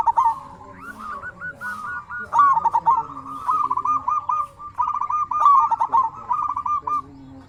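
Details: Local zebra dove, a lively singer, used to prompt other doves to answer and to stimulate quiet or stressed birds. Rolling, stuttered cooing around one pitch comes in bursts, with quick beaded notes running into longer purring phrases and short pauses between.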